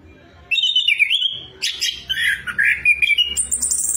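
An orange-headed thrush sings a rich, fast run of whistled and warbled phrases, sliding high and low, ending in thin high notes.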